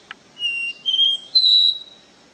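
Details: Capped seedeater (caboclinho) singing the pure 'Ré Mi' song style: a click, then three clear, sustained whistled notes, each a step higher than the last, in a quiet background.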